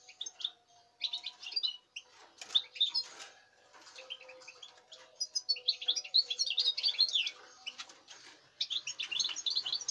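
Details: Season's young European goldfinch, dated 05.08.2019, sings scattered liquid twitters and buzzy chirps, building into denser rapid phrases later, over a faint steady low hum.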